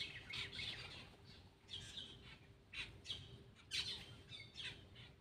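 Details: Black-winged myna feeding, giving spaced harsh squawks and scratchy chirps in short bursts, set against a steady low electrical hum.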